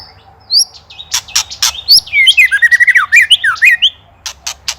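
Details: White-rumped shama (murai batu) from Indonesia in a training master recording with rattling ketrekan style. Rapid sweeping whistled phrases descend and rise, interleaved with sharp broadband clicks and ticks. Loud, dense, varied delivery.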